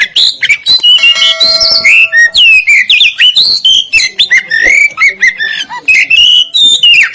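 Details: Oriental magpie-robin of the black-breasted East Java type, mostly black with white wings and tail, in a masteran recording: a rich run of varied whistles, upslurs and downslurs, with rapid twittering notes between them.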